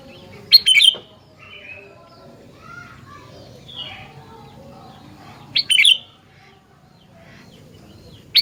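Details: Sooty-headed bulbul delivering loud, clipped phrases of rapid liquid whistles, two clear bursts about five seconds apart and a third beginning at the end, with soft distant chirps and low background rumble.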